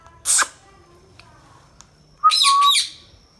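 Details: Pet Indian ringneck parakeet, described as talking: a harsh broadband screech, a pause, then a loud two-part warbled phrase with a strong whistled tone underneath, over quiet room background.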